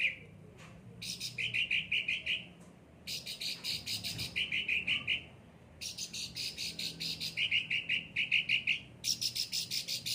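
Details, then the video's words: Cucak ranting singing energetically after frequent care: long runs of quick buzzy trilled phrases mixed with rough scratchy chatter, coming in steady bursts with brief gaps between them. "gacor cucak ranting"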